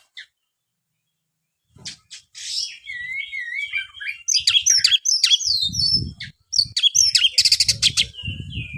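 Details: After nearly two seconds of quiet, an oriental magpie-robin (kacer) launches into a fast medley of wavering whistles, twangy slurs and scratchy bursts that builds in intensity, accompanied by dull low thuds; recorded to encourage lazy kacer to sing.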